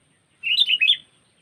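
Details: Sooty-headed bulbul lure call for trapping birds: one liquid, chattering phrase of several quick up-and-down whistled notes, about half a second long, in a quiet background.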